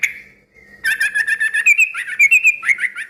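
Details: Busy yellow-vented bulbul song meant to prompt other bulbuls to answer. A drawn-out note leads into a fast, jumbled string of bubbly, warbling notes that rise and fall in pitch.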